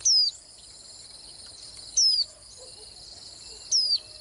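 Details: Swinhoe's white-eye uttering three high, descending whistles, evenly spaced about 1.8 seconds apart. A steady insect whine fills the background.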